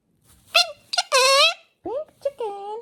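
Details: Snuggly pet male galah indoors with its owner, uttering squeaky, nasal, speech-like syllables that slide up and down, several short bursts in quick succession.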